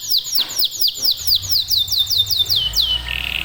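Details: Domestic local canary song: a steady series of about ten sharp downward-slurred whistles in three seconds, closing on a short level buzzy tone, with faint low background rumble.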